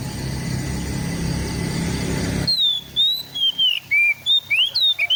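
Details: Oriental magpie-robin (kacer) in East Java, recorded on an Android phone, used as a training recording for a bird that has gone quiet. Steady hiss gives way to clear, varied whistled phrases that slur up and down in quick succession.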